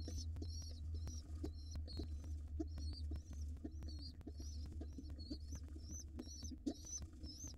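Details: Pigeon nestlings, wild, fed in a nest box just before nightfall, give short high wheezy squeaks in uneven bursts, some rising then falling, with a constant low electrical hum and scattered clicks and bumps.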